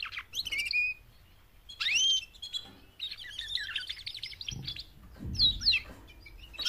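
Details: Female canaries calling to encourage males to sing, four birds; short upswept whistles and rapid chattering trills, high and bright, with a few low knocks in the background.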